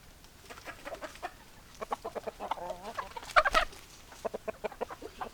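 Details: Several hens cluck in quick, repeated choppy notes; a wavering drawn-out call sounds midway, then a loud sharp squawk stands out before the rapid clucking resumes.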